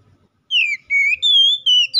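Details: Kacer, or Oriental magpie-robin, singing 'ngeplong' style to call a rival, used to start other birds singing: four clear sustained whistles, the first falling, the next rising slightly, then level and gently falling.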